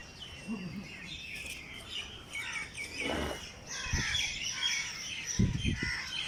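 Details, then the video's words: Early morning birdsong in Jilani Park, Lahore: overlapping high chirps and quick tweets from several birds, with a few low thuds and a faint low murmur beneath. "Birds sings in Jilani park Lahore early morning پریندوں کے پیارے گیت صبح کے وقت صحت بخشتے ہیں"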